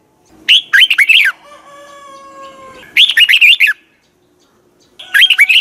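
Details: Red-whiskered bulbul in morning song training, double twisted voice, sings chattering warbled phrases of several looped notes; between two phrases a steady faint tonal hum is heard, then another phrase starts near the end.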